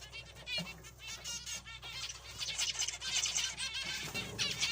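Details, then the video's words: Zebra finches giving dense, overlapping nasal calls with stacked harmonics, a busy chatter that builds louder toward the end over a steady low hum. "Zebra finches"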